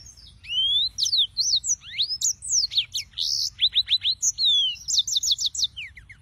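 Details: Yellow-fronted canary (Serinus mozambicus) singers: a fast, varied song of high whistled sweeps, sharp downslurred notes and short buzzy trills run together almost without pause.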